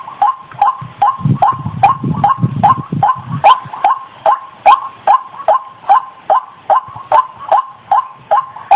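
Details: White-breasted waterhen call used as a hunting lure: harsh, clipped double notes repeated about two and a half times per second in a steady chain, with a low rumbling noise in the first few seconds.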